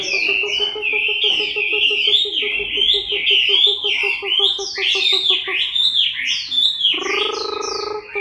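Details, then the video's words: Chinese hwamei in moult, recorded October 2015, delivering varied looping whistles over a low, regularly pulsing tone. The pulsing tone stops, then a steadier hum follows. "HỌA MI THAY LÔNG"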